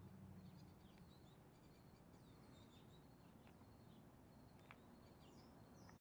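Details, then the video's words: Lesser goldfinches giving faint, high-pitched chirps and quick sliding notes, some sweeping upward or downward, spread irregularly over a constant low rumble of outdoor noise. "Lesser Goldfinches"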